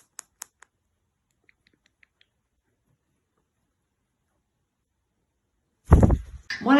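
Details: A pet cockatiel makes a few sharp, dry tongue clicks, a sound mostly made by males: territorial posturing when wings spread and posture low, attention-seeking when relaxed.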